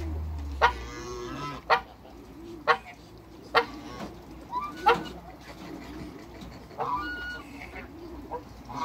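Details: African geese, a couple kept in a backyard, honk repeatedly at roughly one-second intervals, each call a short harsh nasal blast, with soft background noise.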